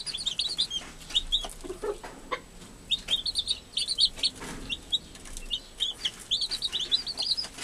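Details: Chicks just hatched under the care of an American hen; dense chirping of high, thin peeps in rapid groups of two or three, with faint lower murmurs and light scratching sounds.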